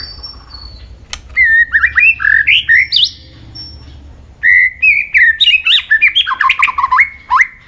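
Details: White-rumped shama singing competitively with many voices. After a lone sharp click come two dense runs of bright whistled notes that step up and down, each note clipped and quickly repeated. A quiet pause separates the runs, and a low hum continues throughout.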